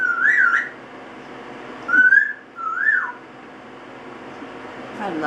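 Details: An 8-month-old double yellow-headed amazon, just given a spritz bath in the shower, sings and whistles a tune in three clear, swooping mid-pitched phrases with brief pauses, in a small echoing room.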